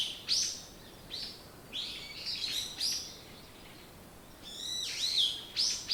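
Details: Scattered high morning chirps, single sharp downward notes a second or so apart, then a brief rapid twittering run near the end, over soft hiss.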